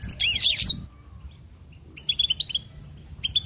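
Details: Goldfinch song: a dense burst of high, tangled twittering at the start, a near-silent gap, then a run of short bright chirps at a steady, quick pace.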